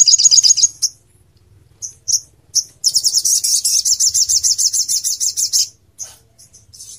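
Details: Crimson sunbird song played as a tutor recording for other songbirds: high thin chirps, then a fast buzzy trill of rapid repeated notes lasting about three seconds, followed by scattered sharp chips.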